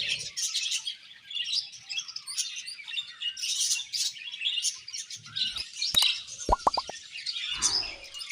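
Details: A colony of budgerigars chattering nonstop: dense, scratchy, warbling chirps packed high in pitch, with a few sharp knocks and a short thud near the end.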